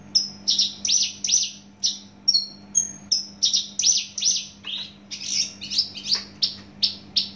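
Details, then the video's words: Javanica Horsfield's bush lark, a native Javan bird noted for its loud, fast song, sings a fast run of high, bright chirps and trills, about two notes a second, over a steady low indoor hum. "branjangan javanica asli jawa volume dan spedd edan mantap"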